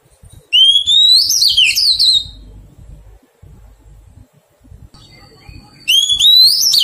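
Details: Oriental magpie-robin, a freshly wild-caught bird during taming, sings two loud bursts: a rising whistle sliding into rough, descending squawky notes, then a quiet gap with faint room noise before a second rising phrase begins.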